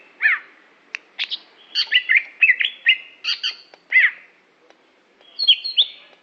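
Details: Greater green leafbird from Aceh pouring out dense twittering song, mixing high chirps, warbled slurs and short buzzy notes in rapid succession, ending with a higher whistled flourish.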